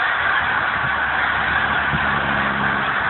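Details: Geese by the thousands lifting off a frozen lake in Pemberton, New Jersey, in December, producing a thick, unbroken mass of honking that holds at constant loudness; individual calls blur together into a steady din.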